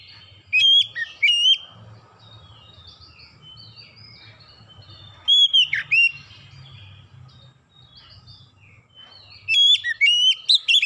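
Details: Lure song of an oriental magpie-robin, three bursts of loud whistled and chattering notes separated by pauses, with soft warbling between and a faint low background hum.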